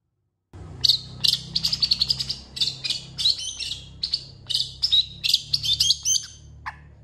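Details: Long-tailed shrike singing a varied song that takes in imitations of cats and chickens, used to train other songbirds: a rapid run of sharp, high chirps and short whistles with brief pauses, ending in one lower squawk.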